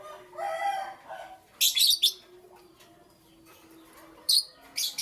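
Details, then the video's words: Morning chirping from lovebirds: a soft murmuring call at first, then two clusters of sharp, high, buzzy chirps separated by a quiet stretch. "Lovebirds Chirping Sounds"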